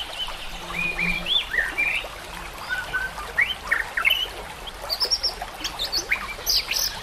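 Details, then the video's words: White-rumped shama in a training recording with nature sounds and trickling water: short clear whistles and warbled phrases scattered through, rising later into brisk, higher notes over steady hiss. "murai batu AKAN EMOSI dan IKUT GACOR dengan masteran murai batu ini"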